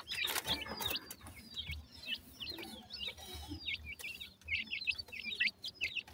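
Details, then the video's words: Young partridges in the forest making cute chirping calls. Repeated high, hooked chirps come in quick clusters, some birds overlapping, alongside bursts of crackly rustling noise. "partridge chicks enjoy in the forest,make cute chirping calls"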